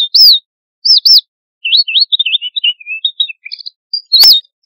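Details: Red avadavat, also called red munia or strawberry finch, calling to its flock: loud high whistled notes that rise and fall, with a run of softer chattering twitters in the middle and one sharp call near the end.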